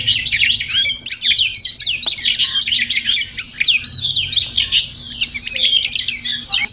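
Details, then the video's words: Magpie robins (Murai Kampung) that visit a home every morning chatter in a busy, overlapping stream of high chirps, squeaks and quick rising notes, several calling at once, with music; finding: magpie. "Crazy Sounds of Village Magpie Birds"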